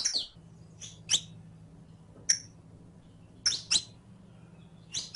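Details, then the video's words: Saffron finch (canario criollo) kept caged, in a recording made to teach song: sparse sharp high chirps, singly and in pairs, separated by pauses of about a second over a low steady hum. "ENSEÑA A CANTAR A TU CANARIO CRIOLLO CON ESTE AUDIO DE 15 MINUTOS [SICALIS FLAVEOLA]"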